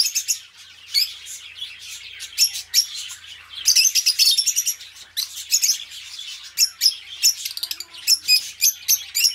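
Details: Two budgies kept as pets chirp and sing, with sharp, high tweets at irregular intervals and a denser burst of scratchy warbling in the middle.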